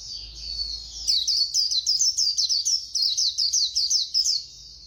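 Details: White-eye, fast khuyên líu song: a faint thin warble gives way to a lively series of sharp, high, evenly paced chirps lasting over three seconds.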